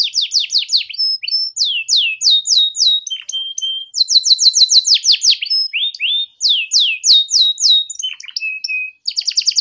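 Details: Canary tutor song in the ngeriwik style, played for young canaries learning to sing: rapid series of descending whistled sweeps and buzzy trills, with brief steady whistled notes and short pauses.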